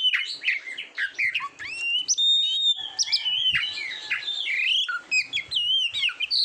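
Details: Kacer (Oriental magpie-robin) song used to train competition birds, varied and continuous: clear whistles, sharp upslurs and downslurs, chattering bursts and a long steady whistle midway.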